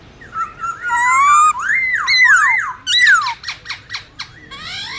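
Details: Wild-type forest song of a black-throated laughingthrush, used for training young birds: loud, rich whistled phrases with rising and falling slurs, then a quick series of sharp descending notes and a final upslurred whistle.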